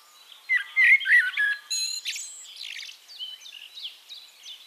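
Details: In Castricum, the Netherlands, a Eurasian blackbird gives a loud, low, flute-like warble, then a scratchy, high, twittering coda. Quieter high chirping from other birds continues after the phrase.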